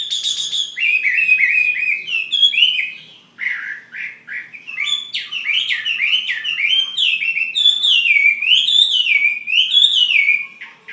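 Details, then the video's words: Chinese hwamei, a fighting bird from Ha Giang, singing a loud, continuous run of rich whistled phrases that slide up and down, with rapid warbled notes between clear, ringing slurs. The background is quiet. "Họa mi chiến Hà Giang"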